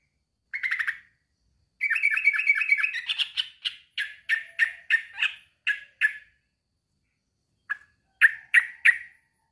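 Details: Male sooty-headed bulbul calling to a rival: a brief bubbly phrase, then a fast twittering trill that breaks into separate chattering notes, ending with sparse single notes.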